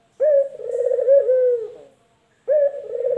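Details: Male collared dove (puter), from a comparison of local and white varieties: a clear low coo opening with a sharp note, then a vibrating middle and falling end, followed after a brief silence by the next coo.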